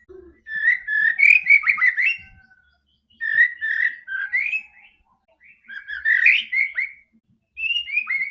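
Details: A White-rumped shama sings as a lure for a silent bird: four bursts of varied whistled and slurred notes, some rising steeply, separated by short pauses.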